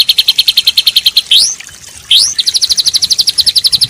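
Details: White-rumped shama training song with fancy fill-in phrases, for conditioning daily and contest birds: a fast run of high pulsed notes, two sharp rising whistles, then another rapid even trill.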